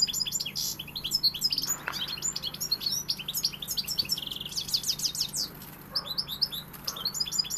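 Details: European goldfinch singing a fast, dense twittering stream of high tinkling, buzzy notes and trills, with brief pauses and scattered sharp chirps throughout.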